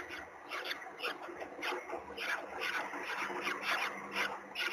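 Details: Nest webcam in Gdynia, Poland, 16 April 2021, with a peregrine falcon present while its third chick hatches: rapid series of rasping, harmonic calls, about two per second, rising and falling in loudness over constant background hum.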